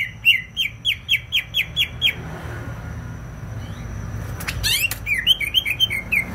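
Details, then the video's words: Greater green leafbird from Banyuwangi in full, vigorous song: a steady string of sharp, downslurred whistles, about four per second for two seconds, a pause with a rustle and clatter, then another quick run of bright notes. "CUCAK IJO BANYUWANGI GACOR"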